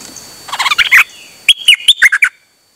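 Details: Dok taeng bird, recorded 8 September 2023 while out calling nonstop: a quick stutter of chips, then a second run of louder, well-spaced snappy notes before falling silent.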